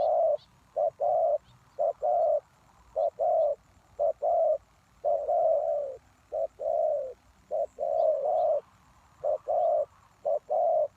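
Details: Spotted doves cooing at a lure site for wild doves, with a rapid run of short-and-long coo pairs that often overlap, plus scattered faint high chirps from other birds.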